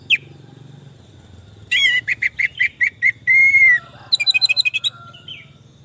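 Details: Orange-headed thrush song, used as therapy audio for a stressed bird that has stopped singing: after a quiet start, a rapid series of sharp chirps, then a long level whistle, then a burst of high, tumbling twittered notes.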